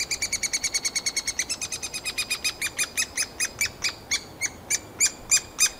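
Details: Three-toed woodpecker chicks calling from the nest hole in summer as the parents bring insects, the loudest brood observed: rapid sharp ringing notes that start very fast and gradually slow and grow louder, about three per second by the end.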